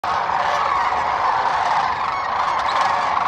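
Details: A huge flock of sandhill cranes at their overnight roost on the Central Platte River, Nebraska, on a spring migration stopover in early morning before flying out to feed, forms a dense, unbroken chorus of rolling, trumpeting rattles blending into a steady roar.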